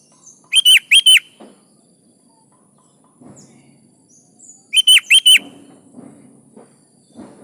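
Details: Energetic 'gacor' song of a sooty-headed bulbul, played to make other kutilang reply: two bright bursts of three or four fluty notes roughly four seconds apart, soft scuffling sounds in the gaps.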